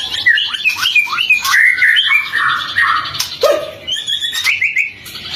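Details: Varied White-rumped shama song used to coax other shamas into song at morning and afternoon; quick, jumbled whistled phrases, some squeaky, with a low sliding note near the middle.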